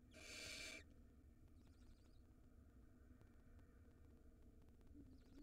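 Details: Barn owl at a nest box in Israel, with a nestling being fed a rodent and the mother nearby. One loud, breathy hiss of under a second opens the clip, followed by faint high twitters and a quiet background hum.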